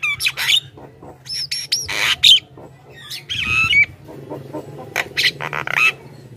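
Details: Javan myna song meant to draw wild mynas closer: scattered harsh rasping bursts interleaved with thin whistled and nasal slurred notes, uneven in rhythm, over a faint steady hum.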